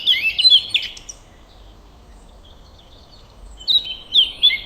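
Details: Birds chirping in a calm forest or garden at sunrise: a quick burst of high, bright chirps and twitters, a quiet pause of over two seconds, then another lively cluster of sharp tweets.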